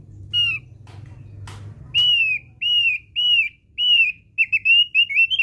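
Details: Javan grey-throated white-eye song used as a lure: after faint noises, a run of clear, slightly falling whistled notes follows, about two per second, ending in quicker paired notes, over a low background hum.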